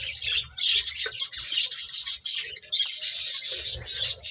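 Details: High, bright chirping from finches as they eat, a dense, steady chatter of overlapping notes.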